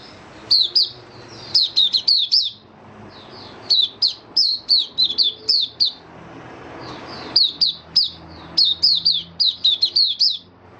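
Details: Kept white-eye beginning to sing, recorded 23 March 2022 during warm humid weather while its nutrition was being adjusted: bursts of high, thin, downslurred chirping notes in quick runs of five to eight, separated by short pauses, with faint low room hum.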